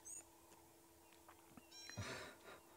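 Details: A young Blue Waxbill with a still-short tail, being fed by a parent at sunrise on 24 May 2017, gives a quick burst of thin, high, squeaky begging calls, over a steady low hum and faint thumps.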